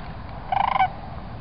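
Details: Sandhill crane calling at Celery Fields, a loud rolling rattle of fast pulses lasting about a third of a second, rich in harmonics, over a low rumbling background.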